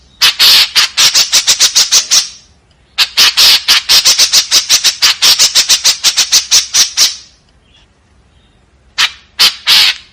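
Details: White-breasted woodswallow delivering rough 'tembakan kasar' bursts. Two long runs of rapid, harsh, grating notes are divided by a short pause, and a few scattered raspy calls follow after a longer silence.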